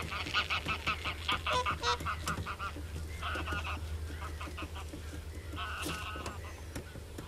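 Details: Common crane calls: a rapid series of harsh, nasal honks at the start, fading into scattered fainter calls and a final short burst, over a steady low rumble.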